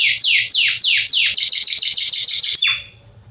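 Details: Belgian Salsa canary singing forcefully, a recording meant to teach fledglings: several slow descending whistles, then a fast clipped trill, finishing with one falling note and quiet.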